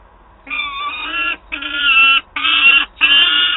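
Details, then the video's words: Begging peregrine falcon chick, Wałbrzych, Poland, 9 August 2022, demanding prey from its mother: four rasping, nasal wails in quick succession, the later ones louder and harsher. "Gutek skarży się mamie "gdzie mój łup""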